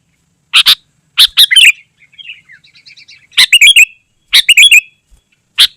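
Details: Sooty-headed bulbul in lively, dense song, used to lure wild bulbuls and tutor caged birds: loud bubbly three-note bursts at irregular intervals, with a softer, rapid high twittering between the phrases.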